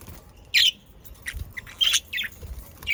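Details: Pet budgerigars calling with short, bright chirps and squeaky upslurred notes, spaced irregularly with quiet gaps, over faint background noise.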